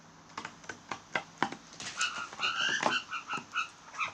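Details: Blue jays giving a fast run of dry clicks, roughly four per second, that turns into a series of nasal, bell-like, repeated notes.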